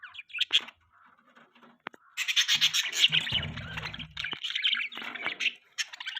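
Budgerigars chatter in quick, high, scratchy chirps and warbles, several overlapping, with a brief low rumble partway through.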